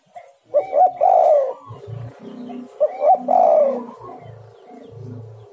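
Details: Spotted dove call meant to lure birds: two loud, rolling coo phrases about two seconds apart, with low humming sounds underneath and soft background tones.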